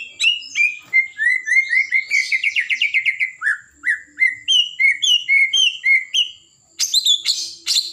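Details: White-rumped shama of the Blorok type in full, steady song: clear whistled notes that slide up and down, delivered in rapid repeated phrases of about four a second. The song ends with a burst of high, sharp chips after a brief pause.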